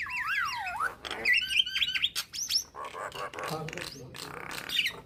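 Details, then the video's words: Nias hill myna singing to provoke starlings: wavy warbled whistles, then a string of short rising whistled notes about three per second, followed by harsher chattering calls. "Kicauan Burung Jalak Akan Bunyi Jika Dengar Kicauan Jalak Nias Suara Unik"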